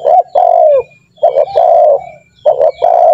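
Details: Spotted dove calling in a lure recording meant to get trained doves calling fast: rich low coos in repeated two-part phrases, a clipped opening note then a sustained, gently falling coo, repeated three times with short gaps.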